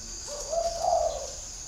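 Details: Spotted dove kept as a decoy bird, described as having a whistle-like voice, giving a single short, smooth coo phrase that rises slightly and holds steady, over a faint background hiss.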